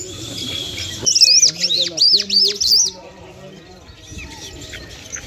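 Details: A lark, locally called lunda or Afghani jal, Mashadi type, from Parachinar, sings a two-second rush of high twisting, chirping notes over a faint human voice, then falls quiet with only background hiss.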